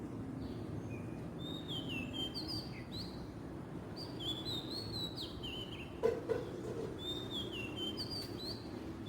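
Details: Oriental magpie-robin singing in the wild in Southeast Asia: clear whistled phrases sliding up and down, with short gaps between them, over a steady low rumble of background noise and a couple of brief knocks.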